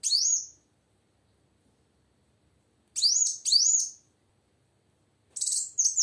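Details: Female plain sunbird singing lively to prompt silent males into song: three bursts of thin, high chirps, each a quick rising-then-falling sweep, with long silent gaps between.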